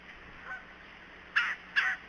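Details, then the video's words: Red-bellied woodpecker calling out of sight in winter, January: three short, harsh, rolling churr notes about half a second apart, loud against a quiet background. "Red-bellied Woodpecker"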